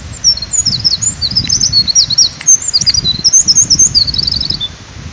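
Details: A Eurasian wren singing energetically beside a forest road along a stream pours out a loud, rapid stream of high trills and sharp notes for about five seconds, with a low steady rush of water beneath.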